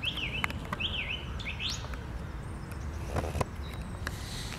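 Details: On a Sunday morning, 11 April 2021, a song thrush repeats a wavy, warbled whistle phrase two times, then an upward-sweeping note, with clicks and a low rumble behind.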